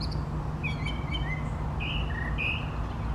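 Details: Brown thrasher male in song, moving between trees as he sings; a few quick clipped notes followed by two longer buzzy whistled phrases, set against constant low-frequency background hum.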